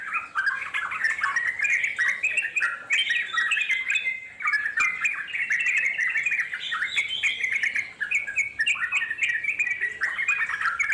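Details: Wild Yellow-vented Bulbul in long continuous ngeropel song, used to draw wild bulbuls to answer; dense bubbly chattering of short rising and falling notes, overlapping without pause through the clip.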